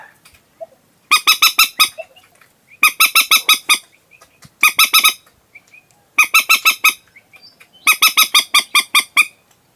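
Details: Night lure call of the common moorhen: steady series of harsh, honking squawk bursts, five to seven notes per burst, coming about every one and a half seconds, with occasional faint squeaky notes in the gaps.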